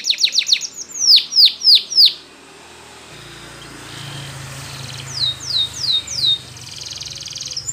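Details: Spanish Timbrado canary singing a training song: a fast run of repeated high notes, then a string of bright downward-sweeping whistles, a pause with a low hum, and a few more swept notes over a buzzy rattle.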